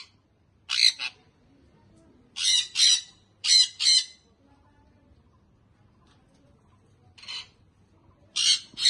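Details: Baby sun conure parrot calling in harsh paired screeches, pairs of short raspy squawks separated by pauses of one to three seconds, with faint background hum.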